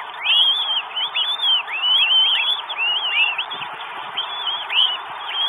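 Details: Northern goshawk in Estonia on 12 May 2022, a bird arriving with food: loud, arched, wailing notes that rise and fall, repeated several times a second, with several voices overlapping continuously.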